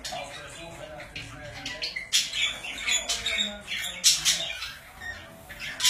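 Budgerigars chatter with scratchy squawks and quick high chirps in irregular bursts, indoors, with a faint voice and music in the background.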